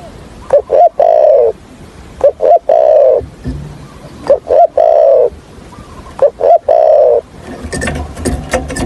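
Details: Trapping decoy spotted dove, thổ Hạp bổi voice, repeating its coo four times about every two seconds. Each phrase is two short low notes and a longer falling note. Clicking and rustling noise follows at the end.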